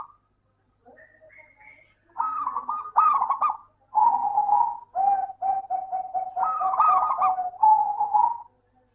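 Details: Local zebra dove (perkutut lokal) song, played as a lure to coax reluctant doves into singing: fast staccato bursts of rolling, mid-pitched cooing notes, loud and clear, grouped in phrases of about a second, slightly falling in pitch, with short pauses between.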